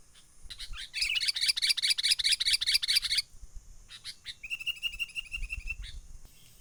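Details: Wild sooty-headed bulbul calling menggaruda-style as a trapping lure: a dense run of rapid chattering notes, then a long steady rolling trill, over a low rumble and hiss.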